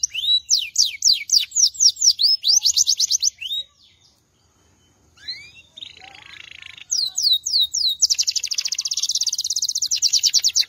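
A Belgian canary sings bright, high rolling phrases of rapid repeated notes, pauses briefly, then breaks into a long fast trill.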